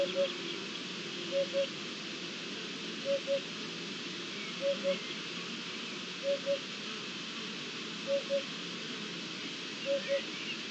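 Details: Eurasian hoopoe singing on 7 May 2021: soft, low hollow double hoots, 'oop-oop', repeated about every one and a half seconds in a steady series over a constant broad background hiss.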